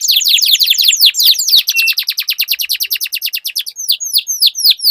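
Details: Canaries in a singing duel, used to spur silent canaries into song: fast series of down-slurred whistled notes, dense at first, then slower separated sweeping notes toward the end.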